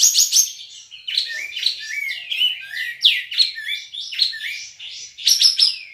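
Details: A West Kalimantan Olive-winged Bulbul competing in an online songbird contest pours out a continuous babbling song of rapid, varied chirps and downslurred whistles, louder bursts at the start and end.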